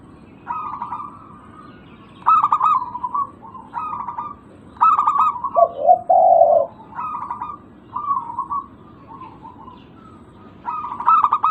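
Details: Local zebra dove cooing as a lure for birds that have gone quiet: short bursts of rapid pulsed coos repeat steadily, with one deeper, longer coo phrase in the middle.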